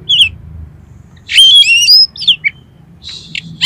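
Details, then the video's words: Oriental magpie-robin song used as a trigger for a kacer to sing and open its tail: a loud rich burst of overlapping whistles, a few scratchy notes, then another loud phrase at the end. "DALAM HITUNGAN DETIK KACER KALIAN PASTI LANGSUNG ON !!! MAU BUKA EKOR"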